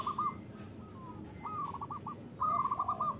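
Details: Quiet zebra dove coos, the female's call to the male, used in Indonesia to draw lazy caged males into song: two short rolling trills separated by a pause, over steady low background hiss.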